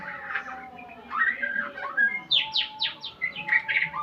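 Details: White-rumped shama learning new sounds against tutor recordings: mixed warbled phrases, then a fast series of sharp descending whistled notes repeated about every quarter second, with a constant background hum.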